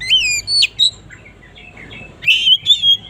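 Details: Oriental magpie-robin singing in the morning, with clear, sweet whistled notes. A quick sequence of falling and looping whistles comes first, then a quiet pause, then another bright cluster of warbled notes.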